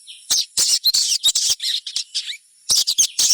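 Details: Chestnut-backed scimitar-babbler sounds used as a lure to prompt other birds to start singing: dense bursts of harsh, high, scratchy chirps and squeaky notes in quick irregular runs, with a short gap before another lively burst.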